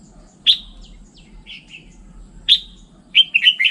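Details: Sharp chirps from a red-whiskered bulbul, two loud single notes two seconds apart with softer short whistles between, ending in a rapid cluster of slurred descending phrases; low steady hum in the background.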